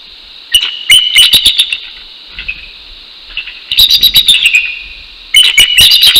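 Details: Bald eagle pair, male and female, calling together at dawn, 6:48 AM on 12 January 2019 at a nest in northeast Florida, showing it is their territory; high, chattering, squeaky piping bursts repeated in three loud bouts.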